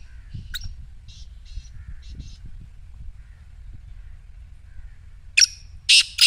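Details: Black francolin voice meant to set a quiet partridge calling: faint scratchy notes at first, then two or three loud, rasping bursts close together near the end, with low rumbling noise underneath.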